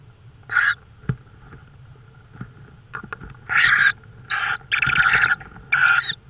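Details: Tawny owl in Estonia at 22:30 on the night of 5 May 2013, giving harsh, raspy screeching calls: a short burst, then a cluster of longer noisy screeches in the second half, separated by quiet gaps with faint background rumble.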